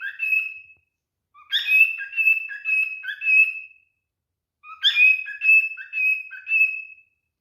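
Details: Male cockatiel in mating behaviour whistles to a female: clear drawn-out whistles mixed with short warbled notes, sung in three bursts separated by short pauses, with no other sounds.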